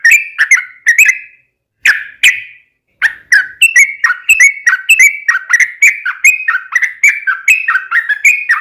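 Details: Sooty-headed bulbul in full lively song meant to prompt other bulbuls to answer: a few bubbly phrases, a brief pause, then a fast steady run of warbled whistled notes, each rising then dipping, clean and unaccompanied.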